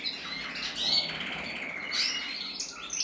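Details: A male red-mosaic agate canary from a breeder, recorded 1 November 2024, sings a steady, high run of bright chirps and rolling trills, with slight room echo.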